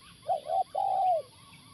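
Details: Spotted dove cooing during a luring session with a live decoy at a factory site: a soft two-part coo followed by a longer drawn-out, slightly wavering low coo, faint background hum.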